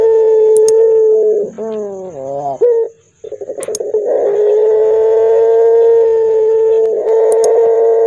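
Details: Barbary dove known locally as puter pelung, calling hoarsely and deeply: a sustained low coo, a sliding warbled phrase, a pause, quick pulsed notes, then another long even coo, with faint clicks.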